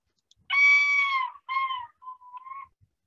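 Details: A Yellow-billed Loon, recorded on the Chukchi Sea coast tundra of Alaska, gives a loud, rich, mournful note that sags at its end, then a shorter note and a softer wavering one; call described as a male-only territorial yodel ending in a tremolo.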